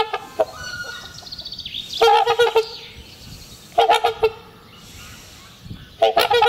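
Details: A pair of trumpeter swans trumpeting in spring as part of their courtship ritual, renewing their pair bond and marking territory acoustically; three loud bursts of rapid, nasal, horn-like honks, each lasting about half a second, with faint high whistles behind.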